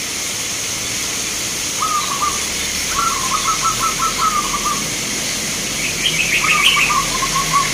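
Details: Local zebra dove song recorded at a bird contest in Grabag, Magelang, Indonesia: a short trill, then a long run of stuttering cooing notes, a final phrase, with a higher chirping bird briefly behind.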